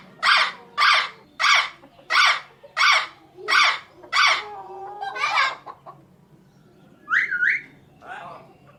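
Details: Indian ringneck parakeet calling "mitthu": seven evenly spaced, sharp squawks, then a drawn-out voice-like phrase and two brief bright upward notes.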